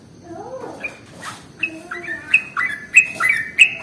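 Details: Sooty-headed bulbul lure recording: soft low warbles at first, then a run of bright, quick chirps rising and falling around the same pitch, repeated about every half second, with a faint hiss behind.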